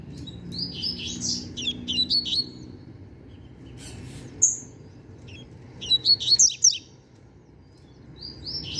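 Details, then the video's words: Young novice double-collared seedeater, under a year old, kept as a trained cage bird, singing bursts of high, rapid twittering phrases with short quiet gaps between them; faint low background hum. "Papacapim Novato Cantando Bitolado!!!"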